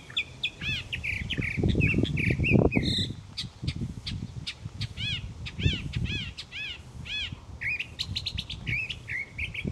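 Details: Daily morning song of a mockingbird, thought to sing until it attracts a mate: varied phrases each repeated several times, including stacked arched whistles and quick chirps, switching types often, with low rumble.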